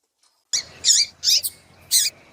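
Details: Female double-collared seedeater in breeding condition calling to warm up a male: after a brief silence, four sharp, high squeaky chirps spaced roughly half a second apart.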